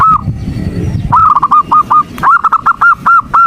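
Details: Morning call of a female zebra dove luring the male: one hoot, a second of low murmur, then a stuttering run of short nasal notes at steady pitch, quickening toward the end.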